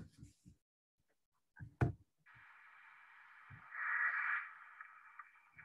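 A Black Vulture gives a long, rough hiss, like paper tearing, swelling louder midway through. It follows brief speech and a few knocks.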